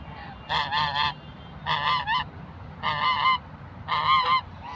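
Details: Aggressive African geese chasing people, giving loud nasal honks in quick doubled and tripled bursts, four groups in under five seconds, over a low background rumble.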